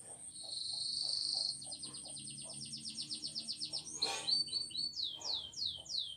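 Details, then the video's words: Canary singing, recorded quietly for training: a buzzy trill, then a pulsing rattle and a handful of swooping whistles, with soft knocking and a sharp click in the background. "Canary singing Training Video"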